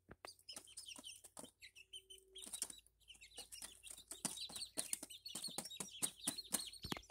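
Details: Young Barred Plymouth Rock chicks, bought in April and recorded in May, give continuous high-pitched peeps, several birds overlapping in quick chirping bursts, over a faint low hum and scratching sounds.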